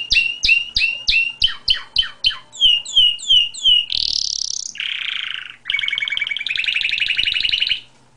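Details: Canary in full song: a series of repeated clipped chirps, then sets of quick rising whistles, a loud upswept note, a lower buzzy phrase and a long rolling trill, all sharp and high over a near-silent background.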